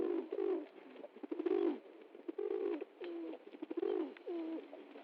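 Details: Pigeon (kabutar) dancing happily after getting food, cooing indoors: low, throaty coos, each ending in a short upward bend, repeated in quick bursts with rustling and scuffling in between.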